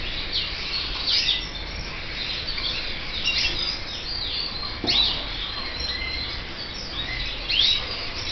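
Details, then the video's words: Red mosaic canary chicks giving scattered high, thin chirps and short rising squeaks at irregular intervals over a steady hiss, with a few louder notes near the middle and end. "FILHOTES DE CANÁRIO VERMELHO MOSAICO"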